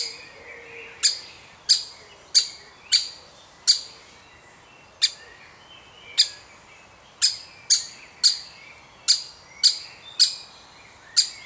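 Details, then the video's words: Feeding of a young woodpecker in a woodpecker family: a brief quiet opening, then loud, abrupt, harsh high calls in irregular runs, sometimes pausing a second or more between bursts. "Baby Woodpecker Being Fed"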